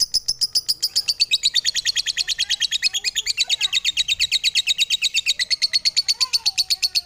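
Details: Rapid, unbroken lovebird chatter: a dense run of shrill, buzzy notes that start high, sink a little midway and climb back, continuing evenly for about seven seconds.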